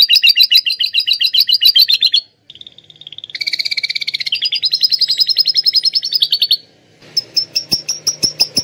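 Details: Canary with imitated lovebird song, kept as a tutor bird, giving fast two-toned rattling trills, a low steady buzz, a long rapid churring run, then spaced sharp high chips.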